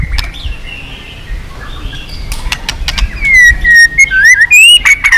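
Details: Intense white-rumped shama song for rousing weak birds to sing in contests: after quiet faint notes, a bright run of sliding whistles rising and dipping, delivered in quick succession near the end.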